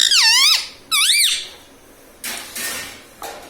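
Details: A pet parrot known for saying "mummy papa" utters two loud, reedy syllables with an up-and-down pitch contour, then short bursts of soft rustling noise follow.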